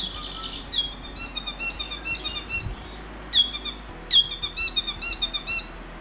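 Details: North Island saddleback in the trees of the predator-free Zealandia ecosanctuary in 2019 gives bright, high chirps and quick chattering notes, with two sharp piercing strokes near the middle and end.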